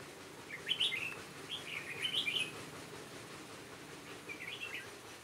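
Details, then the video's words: In a trap used to catch wild birds, a decoy red-whiskered bulbul from Hòa Bình sings on 18 November 2017. Two lively warbled phrases come close together, then a fainter one follows after a pause. "Bẫy chào mào Hòa Bình bổi"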